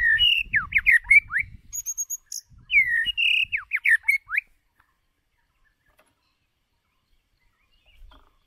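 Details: White-rumped shama lure bird singing for voice training, two fast phrases of swooping, sliding whistles with thin high notes between them, then silence.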